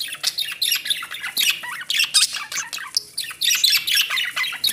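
Budgerigars chatter in a fast, scratchy stream of high chirps, squawks and warbles, used to encourage breeding.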